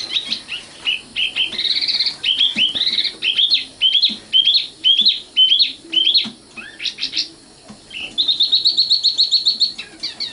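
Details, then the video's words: Common nightingale pouring out a varied song: quick clipped whistles and slurred notes in changing phrases, then a fast, even, rattling trill of high notes near the end. "kicau burung sikatan londo"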